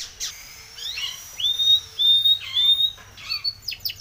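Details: Spanish Timbrado canary song for training: sparse whistled notes, a few short downslurred chirps, then three clear level whistles held near one pitch, ending in quick falling chips.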